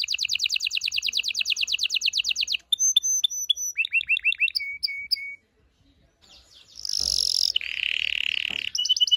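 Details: Canary singing continuously to excite the female and stimulate the male for mating: a long rapid trill, clipped whistles and upslurred notes, a brief silence, then harsh buzzy tours and a high sustained note.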